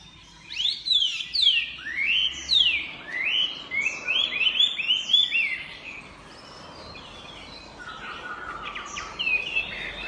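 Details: Chinese hwamei delivering a series of loud, downward-swooping whistled notes, each slurred and repeated roughly every half second, followed by a quieter stretch and a final bright phrase.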